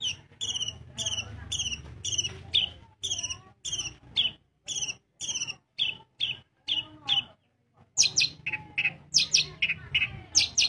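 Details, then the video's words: Long-tailed shrike from Bojonegoro, Indonesia, singing actively: a run of sharp, harsh notes repeated about twice a second, then a short pause and quicker, varied chattering phrases with high squeaky notes, over a faint low hum. "Cendet gacor bojonegoro"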